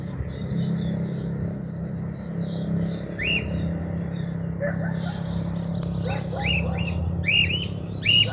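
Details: Cockatiel at liberty on a house roof in 2023, probably an escapee, starting after three seconds with a series of arched whistled calls, mixed with higher chirping and a constant low rumble.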